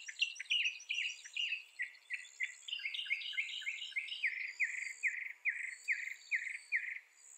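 A Northern mockingbird sings bright, chirpy phrases, repeating each note several times before switching, about two notes a second, over a faint high buzz.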